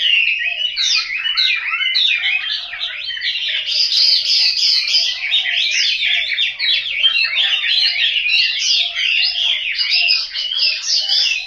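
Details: Home-kept caged Chinese hwamei in Hanoi, Vietnam, delivering a long unbroken song of fast, jumbled whistled notes and chattering trills, steady and loud throughout, with varied bright phrases tumbling one after another.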